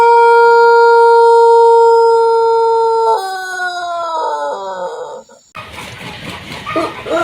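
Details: Pelung chicken, Indonesian ornamental breed from Cianjur, West Java, crowing long and melodiously: a clear, steady tone held three seconds, then wavering and stepping downward, followed by rustling and general noise.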